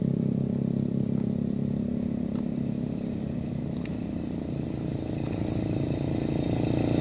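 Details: Constant droning engine noise like an idling motorcycle, with a few faint clicks and no animal voice.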